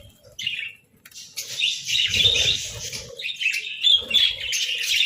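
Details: Pet budgerigars at a winter breakfast of boiled eggs and bread, giving rapid squawky chirps and warbled chatter, a short note first, then dense overlapping twittering with some low knocking sounds.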